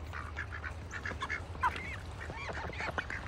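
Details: Several ducks kept in a bucket on a farm in wintertime give short nasal quacks and honking calls, scattered and overlapping, over a steady low hum.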